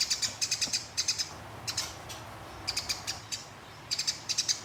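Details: Fighting sparrow used as a training recording for contest birds, delivering clusters of bright high-pitched chirps in quick rolls separated by short gaps, with faint low hum in the background.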